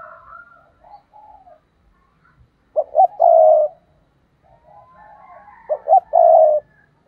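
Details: A decoy spotted dove calls in the 'thúc' style to lure wild doves into traps. Softer coos open the recording, followed by two loud phrases of two quick notes and a prolonged low coo, about three seconds apart.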